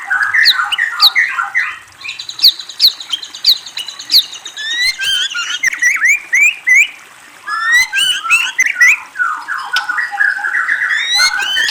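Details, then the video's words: White-rumped shama song: a stream of varied whistled phrases, rapid slurred notes rising and falling, short trills and quick ticking notes, continuing with only a brief pause midway. "Murai Bird Whistles and Trills"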